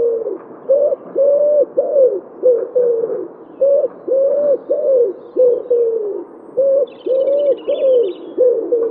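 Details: Common wood pigeon, Wittlich, 2017, cooing loudly and steadily: repeated groups of deep, rounded hoots in a lilting rhythm throughout. A short high twitter from another bird near the end.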